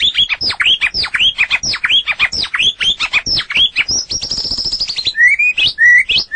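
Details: White-rumped shama in full song on a long training recording for other birds: a fast run of repeated downslurred high notes, then a buzzy trill and clear rising whistles.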